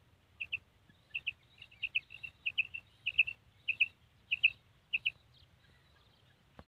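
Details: Female common quail kirak call: crisp, high double notes, like pip-pip, repeated steadily roughly every half second over a faint low background hum.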